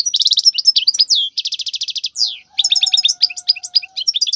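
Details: European goldfinch singing in the wild, used to teach young goldfinches: a rapid, continuous twittering run of sharp chirps, quick buzzy trills and a downslurred whistle, with a faint steady low tone in the background.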